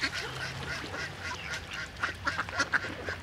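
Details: Swimming ducks, many together on the water with great white pelicans, call as a group: softer murmuring quacks at first, then a quick run of louder, clipped quacks near the end.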